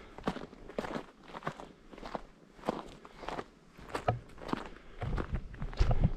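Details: Steady footsteps crunch outdoors in Portugal's countryside at Ansião, with no birdsong heard.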